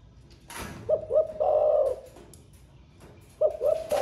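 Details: Thổ pha style song of a caged spotted dove, a newly singing bird that sings all day. One complete phrase of two short hoots and a long burry coo, then a second phrase begins. Sharp taps are also heard.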